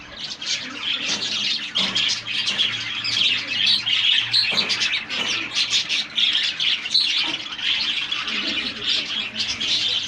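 Budgerigars chatter in a busy, continuous warble of high chirps, squeaks and scratchy notes.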